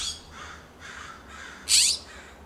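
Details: California scrub-jays exchanging loud calls in a Pacific Grove, California backyard; faint distant raspy notes followed by one loud harsh squawk near the end.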